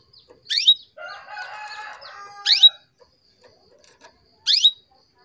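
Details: Female canary calling to stimulate males into breeding condition: steep upswept chirps at start, middle and end, with a softer buzzy warbling passage between the first two.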